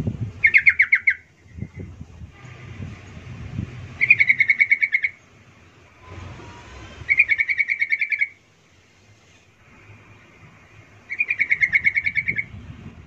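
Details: Calls of a yellow-vented bulbul used to make other bulbuls respond: four separate chattering bursts, each about a second long, spaced roughly every three to four seconds, over faint low background rumble.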